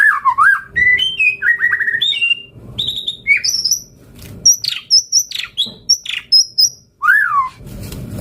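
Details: White-rumped shama in full varied song, kept as a lure bird: mellow wavering whistles, stepped fluting phrases, clusters of very high sharp notes and a final downslurred whistle, with a short noisy burst at the end.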